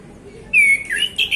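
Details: Afternoon song of a male orange-headed thrush in relaxed ngeplong style, sung to draw out other birds: a long, steady whistled note followed by a dipping slur and two brief higher trills.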